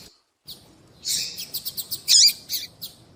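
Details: Female double-collared seedeater calling to attract males, used to excite and warm up male birds for calling tournaments: a burst of high chirps around 4–8k, then quick sharp notes and a loud squeaky chirp with a downward-sliding tone.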